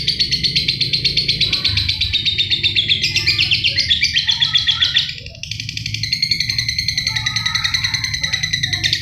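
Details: Lovebird in full continuous song, suitable for tutoring other birds: a dense stream of rapid, high buzzy chattering notes pulsing several times a second without pause, over a low steady background hum.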